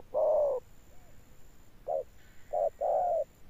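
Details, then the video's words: Spotted dove's deep hollow coo, a long note followed after a pause by a short coo and a short-long pair, sung in the 'âm sấm' thunder-toned manner, with a faint electronic whine. "Gù Âm Sấm_ Nước Tiền Bổi kèm dậm nghe chỉ có phê. Gù Hậu Bền Bỉ."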